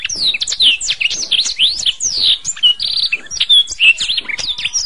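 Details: Singing canary in a masteran recording made to train songbirds, pouring out rapid varied phrases of swooping whistles, short rolling trills and sharp chirps, almost without pause, all high-pitched.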